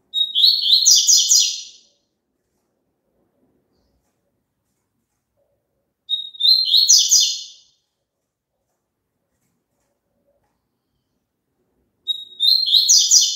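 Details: Song of a papa-capim, the double-collared seedeater, meant for a caged bird to join in: a thin whistled opening note bursts into a rapid chattering trill, three such phrases spaced roughly six seconds apart, nothing else audible.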